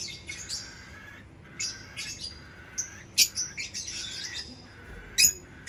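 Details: Chirping lovebird: bright, buzzy chirp phrases roughly every second, broken by a couple of sudden shrill squawks, over a soft background hum.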